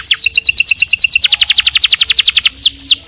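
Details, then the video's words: Canary singing indoors: a rapid chattering trill of repeated high notes for over two seconds, followed by slower downward-curving whistles. "Burung kenari gacor rumahan"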